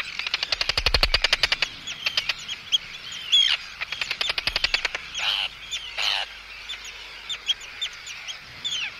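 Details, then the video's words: Close-up Arctic tern anxiety and threat calls aimed at an intruder, with calls from chicks: rapid clicking rattles open the passage, followed by scattered harsh, rasping downslurred notes from several birds. "Arctic Tern. CU Anxiety And Threat Calls At Intruder. CU Calls From Chicks."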